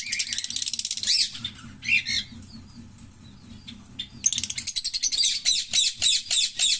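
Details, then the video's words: The song of a green Fischer's lovebird pair: dense, shrill chattering trills, a brief lull, then a long run of rapid, evenly repeated harsh squeaky notes. "Lovebird Singing & Chirping Sounds - Green Fischer Pair"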